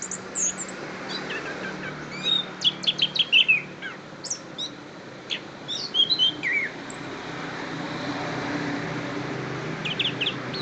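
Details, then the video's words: Orange-headed thrush from Kediri, Indonesia, singing scattered high, sharp whistled and chipping phrases in short bursts between pauses, over a steady low background hum. "Anis Kembang"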